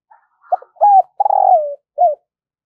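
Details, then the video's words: Decoy spotted dove trained each day to call in wild doves, delivering a clear phrase of a soft lead-in, short notes, a held coo, a long falling coo and a closing short coo. "Luyện Giọng Chim Cu Gáy Mồi Mỗi Ngày"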